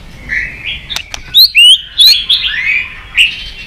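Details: Loud, varied song of a caged white-rumped shama, a long singing strand of rich whistles, rising and falling slurred notes with sharp clicks and high upward flicks.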